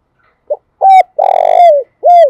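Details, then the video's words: Spotted dove giving a decoy cooing song used to draw wild doves for trapping: a short soft note, a clear coo, a long rolling, pulsing coo that slurs downward, then a final clear coo, with a quiet background. "tiếng cu gáy mồi chuẩn Gáy Gọi dùng kích bổi hiệu quả"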